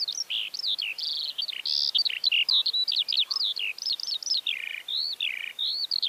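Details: Eurasian skylark (Alauda arvensis) pouring out a continuous, high-pitched warbling song of rapid chirps, trills and slurred whistles, varied and unbroken throughout.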